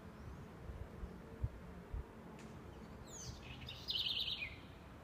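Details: Southern house wren singing in Aracaju, Brazil: a single bright phrase of sweeping high notes leading into a fast, even trill that drops to a lower closing note, over faint low rumbling background noise.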